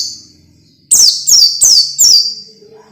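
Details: Orange-headed thrush training song for young birds: four bright, high whistles in quick succession, each sliding steeply downward, followed by a faint low hum.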